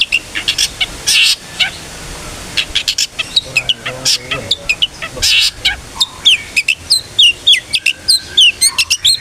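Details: Long-tailed shrike singing gacor 'ngeplong' style as a lure: harsh scratchy notes and clicks at first, building into a fast run of high slurred whistles and sharp chirps.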